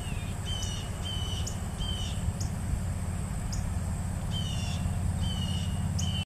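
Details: Begging calls of a juvenile Mississippi kite at feeding time, a run of thin whistled notes repeated about twice a second with brief higher squeaky accents, over constant low-pitched background rumble.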